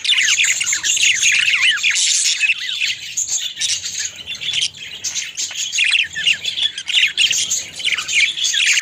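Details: Pet budgerigars feeding their mate, chattering without pause: scratchy warbles, quick downward-slurred chirps and squawks tumbling over one another in irregular bursts, loud and close throughout.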